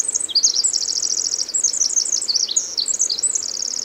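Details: Pacific wren, formerly called winter wren, singing in June 2011 at the Hoh rainforest visitor center in Olympic National Park: a long, very high, rapid tinkling trill of jumbled notes, run without pause through the whole stretch.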